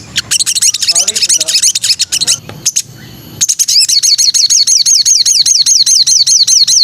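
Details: Training song of a white-rumped shama. It opens with varied, scratchy chirps and piercing notes, breaks off briefly, then settles into a fast, even series of high, downward-sweeping whistles repeated about three times per second.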